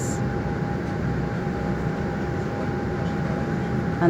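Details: Low rumbling noise and a steady mechanical hum, with no clear animal calls.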